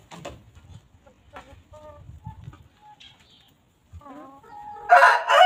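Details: Free-range chickens walking, grazing and pecking at fresh grass on a quiet farm: soft low clucks, then short tonal notes with rising-falling harmonics, ending in a sudden loud, harsh squawk.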